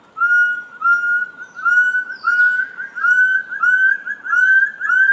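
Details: Forest quail delivering a run of loud, pure whistles, each slightly rising and closely spaced, roughly two per second, in a quiet setting.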